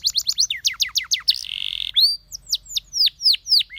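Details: Canary song from a training recording. Rapid steep down-slurred chirps repeat several times a second, broken by a short buzzy rattle, then spaced falling whistles follow.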